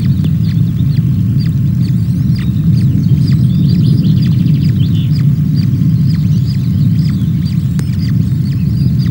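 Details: Webcam sound from the Loch of the Lowes osprey nest, Scotland, 24 May: hungry chicks being fed by female NC0 give thin high cheeping in steady series, partly masked by strong low-pitched rumble.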